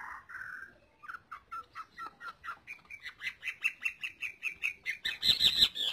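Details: Greater green leafbird song for tutoring other birds: a slurred opening note, then a long series of short repeated notes climbing steadily in pitch, ending in a harsh burst.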